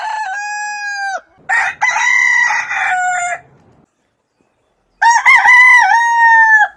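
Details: A rooster crows at dawn: one clear, level crow dropping at its end, then a louder, raspy, multi-part crow, about a second of silence, and another wavering crow closing with a long, even tail.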